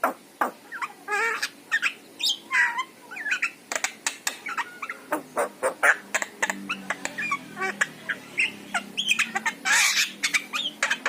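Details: Yellow-eyed Javan myna chattering through a mix of wavering whistles, nasal squawks and dry clicks, loud and busy throughout, meant to stir a pet myna into singing.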